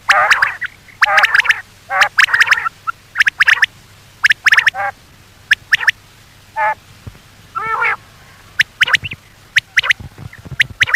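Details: Common quail calls meant for luring quail at night: dense runs of sharp clipped notes and buzzy nasal bursts come about once a second, with two longer warbled phrases in the middle.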